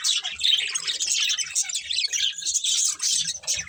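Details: Several colourful pet budgerigars chirp while eating, a continuous bright chatter of quick high twitters and buzzy notes with soft low taps.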